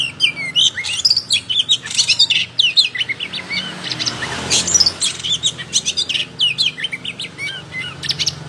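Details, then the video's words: Oriental magpie-robin singing vigorously with fanned tail: a fast, continuous torrent of crisp chips, trills and mimicked-sounding twitters, packed closely together and sustained for the whole stretch. "Kacer gacor full buka ekor"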